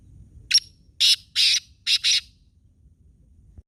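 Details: Kala teetar, the black francolin, recorded at Khushab, calling loudly: a clipped opening note, then two drawn-out scratchy notes and a final double of rough notes. The phrase lasts under two seconds, followed by quiet rural background.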